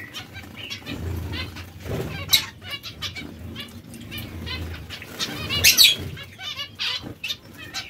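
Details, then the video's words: Zebra finch breeding pairs calling with nasal, buzzy notes and a loud sharp cluster of calls late on, overlapping birds and low fluttering noise throughout. "Diamante mandarino/coppie riproduttive"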